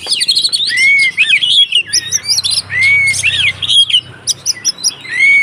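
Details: White-rumped shama in agitated fighting song meant to provoke other shamas: loud shrill whistles, upslurred arcs and sharp chattering notes in rapid varied bursts, with a faint low hum underneath.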